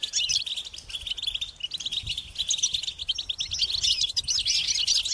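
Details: European goldfinch chicks beg their parents for feeding with a shrill, insistent call: rapid, buzzy chirp series continuing throughout, sharper and more rapid near the close, over a low murmur.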